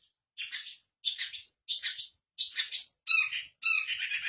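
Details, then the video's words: Long-tailed shrike of the East Java type, its song filled with prominent imitations of cucak ijo (green leafbird) and kapas tembak: six harsh, scratchy, broadband bursts about every half second, the last two louder and denser, separated by silence. "Suara Burung Pentet jatim isian tonjolan cak ijo + kapas tembak"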